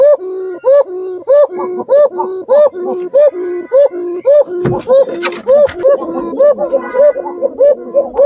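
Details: A pet Gobinda pigeon of the Basiraj/Koka type, bred for its long call said to resemble a jungle fowl, gives clear fluted rising-falling whistles about one and a half per second over a lower hum; a man talks partway through.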